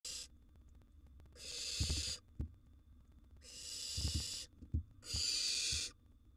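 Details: Wild young barn owls in a monitored nest box, siblings competing for food: four long, harsh, broadband hissing screeches of about a second each, separated by short pauses, with low thumps and shuffling between them.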